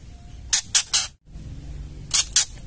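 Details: Ketrekan call of a female white-rumped shama, used to provoke males into singing: a rapid triplet of dry, scratchy bursts, a brief silence, then a pair of the same grating notes.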